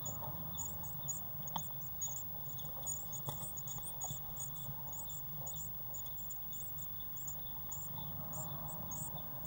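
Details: Growing Eurasian blue tit young in a nest box, 1 June 2016, keep up a steady stream of tiny, very high squeaks and trills, broken by a few faint knocks against a low background hum.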